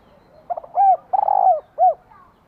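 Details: Female spotted dove calling to rouse a male: one clear phrase of two quick soft notes, a hollow coo, a long throaty coo and a final short coo, over quiet background.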